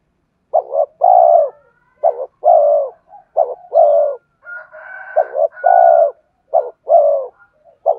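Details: Spotted dove cooing to draw in wild birds, with a series of low doubled notes each followed by a longer falling coo, and another bird's higher, drawn-out call overlapping in the middle.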